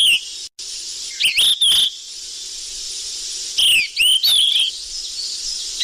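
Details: Flycatcher known locally as sikatan emas, used as a lure call: two bursts of sweeping, whistled chirps with a slurred up-and-down pattern, a pause between them, and steady background hiss.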